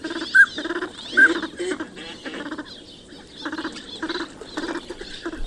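Northern Pintail giving short, raspy, nasal duck notes, about one a second in uneven bursts, with a faint higher whistle-like note early on.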